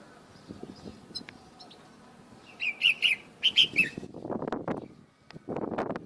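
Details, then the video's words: Morning song of a bulbul in the open, away from its cage: a string of about six bright, bubbling notes in quick succession, followed by loud rustling and handling noise. "تغريد طائر البلبل بالطبيعة"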